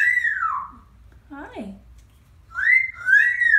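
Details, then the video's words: Pet parrot indoors making a sound like a real baby crying: a loud, falling, whimpering wail, a pause with a soft lower squeal, then two more rising-and-falling, sobbing wails in quick succession. "Sounds like a real baby! Parrot crying"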